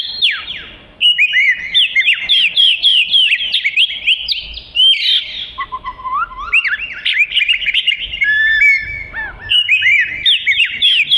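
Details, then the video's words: Oriental magpie-robin singing a melodious song, offered as tutor material for training other songbirds. A continuous, varied run of sweet whistled phrases, quick slurred notes and chattering trills, mostly high-pitched, with a lower whistled passage midway. There are no other clear sounds. "Burung Kacer Merdu Untuk Isian"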